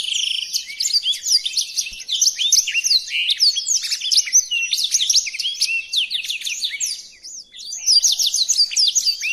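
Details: {'caption': 'Singing black-throated canary, one of several song variations offered for tutoring: an unbroken run of rapid, high-pitched twittered notes and short buzzy trills, fading briefly near the end before resuming.'}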